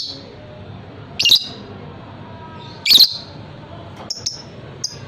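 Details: Fighter-type lovebird, a hobbyist's bird valued for long ngekek trilling, gives two loud shrill squawk bursts about 1.7 seconds apart, then a few thin high chirps over low room hum.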